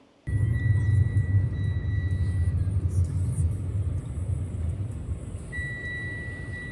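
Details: Deep vehicle-like rumble with a steady high electronic tone that stops and returns, and no animal voices.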